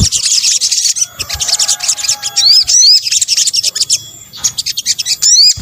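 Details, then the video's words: Sogok ontong, an Indonesian name for sunbird, mixed into a bird-luring track: rapid, shrill twitters broken by short pauses, with sharp rising whistled notes near the middle and end. "kombinasi suara sogok ontong"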